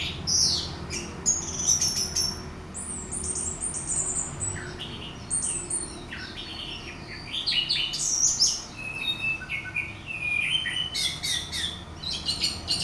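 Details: Orange-headed thrush song played to provoke another bird into singing: rapid bursts of high, varied whistles, slurred notes and short chattering trills in quick succession, with a faint low background hum.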